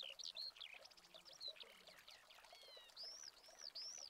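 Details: Eurasian skylark in Spain in August 2020, recorded with a Canon 7D Mark II: a faint, continuous warble of quick high whistles, chirps and slurred notes, ending in three rising-and-falling whistled phrases.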